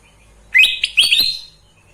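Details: Sooty-headed bulbul, kept bird, giving a short lively burst of two or three bright whistled notes, rising then warbling, about a second long over a quiet low hum.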